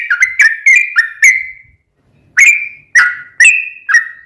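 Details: Sooty-headed bulbul, a lure recording meant to make a caged bird answer: loud, liquid whistled notes, each with a sharp onset and a falling or level tail, in bursts of four with a pause between.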